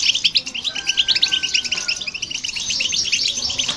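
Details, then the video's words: European goldfinch singing together with a hybrid finch, a recording meant to provoke other birds; dense, rapid twittering and tinkling notes run throughout, with a thin steady whistle-like tone sliding slightly downward in the middle. "Goldfinch And The Hybrid To Hear And irritate The Birds"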